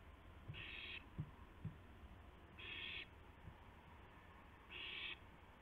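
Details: Owl in the early morning of April 2, 2016, carrying a gopher to its mate: three rasping, hissing screeches about two seconds apart, with soft thumps and a steady hum.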